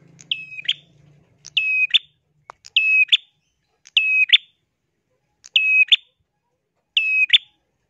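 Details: Bar-winged prinia calling in bursts, each a short sharp whistled note dropping into a flat buzzy trill and ending in a rising flick, repeated roughly every 1.2 seconds against a quiet background with a faint low hum at the start.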